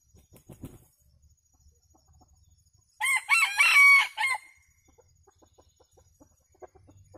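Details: Decoy red junglefowl rooster luring wild junglefowl, which arrive as a flock to feed: faint soft clucks and rustling, then one loud rasping multi-part crow lasting over a second, followed by quiet low clucking.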